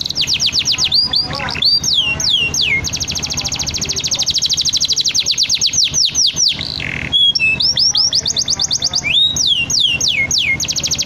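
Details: Atlantic canary singing loudly and continuously: rapid high trills, fast runs of downward-sweeping whistled notes and buzzy rolls, briefly pausing around the seventh second before resuming, over a steady low hum.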